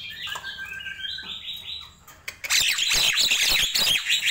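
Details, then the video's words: In the morning a Nias hill myna gives a rising ladder of clear whistled notes, a short hush, then an explosive burst of harsh squawks and chatter. "Ramainya Kicau Jalak Nias di Pagi Hari"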